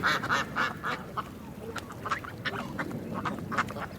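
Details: Ducks quacking in a quick run of nasal, buzzy quacks, several per second, loudest in the first second and then softer, overlapping calls with a faint background hiss.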